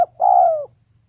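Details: One long, rich coo from a female spotted dove. It is drawn out for about half a second and slides gently downward. A soft low hum lies under it.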